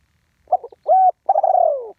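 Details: Live spotted dove giving the one-kuk call used for ground decoying: a few soft stuttered notes, a steady hoot, then a long trembling coo gliding downward to the end.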